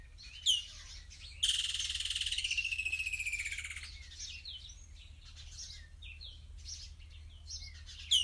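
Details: A Woodland kingfisher calls in Kruger National Park in summer: a sharp opening note, then a long, loud trill sliding gradually downward over about two and a half seconds, while other birds chirp briefly around it.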